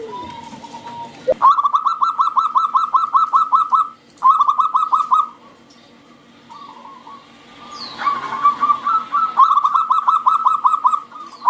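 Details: Loud local zebra dove song meant to coax other doves into singing: long bursts of rapid, evenly spaced staccato notes, broken by short pauses and a brief softer coo in the middle.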